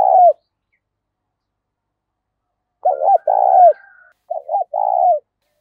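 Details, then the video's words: Spotted dove singing in the thổ pha voice style, loud and clear with little background noise; short low coo at the start, then after a pause two hoarse, rolling multi-note coo phrases with a drawn-out falling final note. "tiếng cu gáy giọng to + rõ + ít tạp âm giọng thổ pha"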